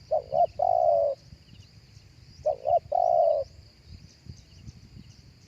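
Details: A spotted dove coos live in a lure recording meant for a speaker. Two phrases, each of two short hurried notes followed by a longer sustained coo, are separated by a brief gap. Soft rustling and faint distant chirps trail after.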